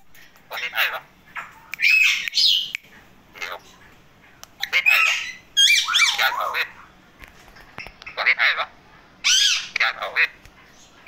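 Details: Male parrots talking indoors: bursts of harsh squawks and speech-like chattering phrases, some rising and falling, separated by short silences.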